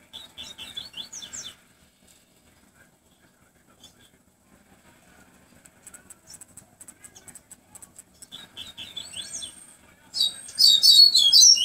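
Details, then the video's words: Double-collared seedeater singing in the tui tui flautado song style. Short bursts of high, quick chirpy notes come first, then a long near-silent gap with faint ticking. The clip ends in loud, rapid, high twittering. "papa capim tonze tui tui flautado x tui tui"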